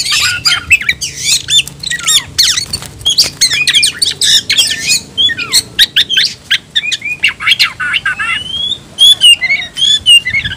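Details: Kacer (Oriental magpie-robin) calling an opponent to fight: a long, fast series of sharp whistles and harsh clipped notes, later thinning into spaced bright whistles and short trills.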